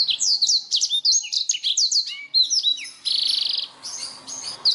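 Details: Clear song of a Black-throated canary, used to tutor canaries and other songbirds: rapid sweeping high notes tumbling downward, then a steady buzzy trill lasting nearly a second before varied chirps resume.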